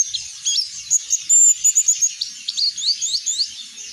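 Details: Oriental white-eye singing in the loud, open 'ngeplong' style, used to prompt other birds to sing. Rapid, high, thin twittering with sharp chirps and short whistled slurs, run together without pause over four seconds.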